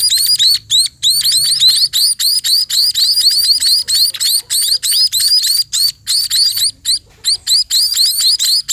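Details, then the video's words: Sparrows calling as they are fed. Clean, high-pitched, upward-slurred chirps come in rapid uneven bursts, separated by short silences, with little background noise. "burung pipit diberi makan"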